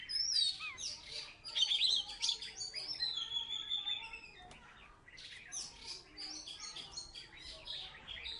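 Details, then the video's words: Salatiga Oriental magpie-robin, once a third-place contest winner, in full song: high warbled and whistled phrases up front, then softer, busier chattering notes in the background. "Burung kacer salatiga gacor"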